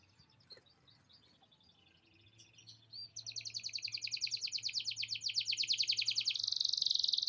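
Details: Canary singing a long song filled with lovebird-style chatter; after faint scattered chirps, a rapid buzzy high trill starts midway and grows steadily louder, pulsing several times a second to the end.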